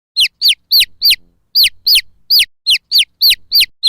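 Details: Domestic chick peeping loudly and steadily: clear, high, downward-sliding peeps repeated about three times a second, with short gaps and faint low thumps in the background.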